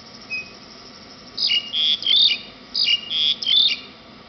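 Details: Black-collared starling singing happily after rain at the Military Academy in Nakhon Nayok, Thailand, on July 18, 2009: two bursts of harsh, grating and whistled notes, each about a second long, over a steady background hiss.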